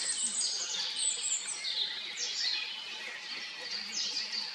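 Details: A pair of Eurasian siskins feeding on insects at a pond edge on a dark, foggy early morning twitter continuously, high and wheezy, with thin descending whistles every second or so over a soft background hiss.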